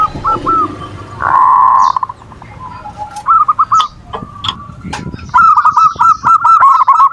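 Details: Manggung cooing of a zebra dove (perkutut), played as a lure to stir breeding condition and rival emotion: a loud blurred note, then scattered coos and a fast rolling coo series at the end, with clicks and background noise.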